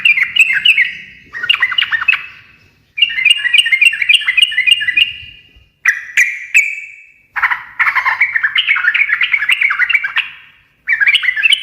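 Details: Sooty-headed bulbul in lively ngekek garuda song, said to prompt other birds to answer: repeated bursts of busy warbling chatter separated by brief gaps, each trailing off in an echo.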